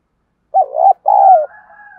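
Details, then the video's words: Spotted dove used as a decoy to stir up other doves. A single mellow coo phrase, a quavering short note then a drawn-out falling croon, followed by a faint steady tonal hum. "Chim Cu Mồi Kích Bổi Hay. cu gay kich boi nhanh noi gù"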